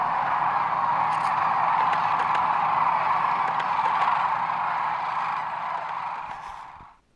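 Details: A large flock of Sandhill Cranes calling together, a dense, continuous roar of overlapping rolling, trumpeting calls that fades away at the end.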